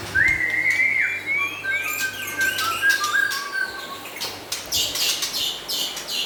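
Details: White-rumped shama, local and forest-imported birds, in lively song: a loud rising whistle, then softer level whistled notes, followed by a stretch of noisy rustling and faint high chatter.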